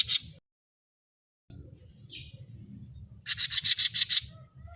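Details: Grey-cheeked bulbul recorded for use as a bird-luring sound: a brief harsh burst at the start, a quieter buzzy note near two seconds, then a loud rasping run of about seven rapid notes over low rumbling background.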